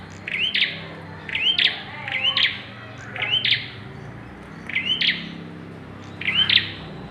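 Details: A bar-winged prinia in the pairing stage repeats a rising whistle followed by a harsh buzz, six times at about one-second spacing, over a low rumbling background.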